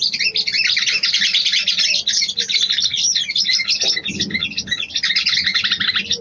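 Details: Calling by a female sooty-headed bulbul to attract the male: an unbroken, crowded flow of quick chirps and twitters lasting over six seconds, with a faint low thump partway through.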